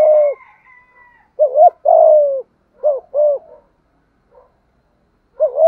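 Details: Spotted dove of Malaysian strain giving rhythmic 'thúc gù' coos: clipped rising doublets, each followed by a longer falling coo. A faint high thin whistle sounds at the start, and a quiet gap comes before the next doublet.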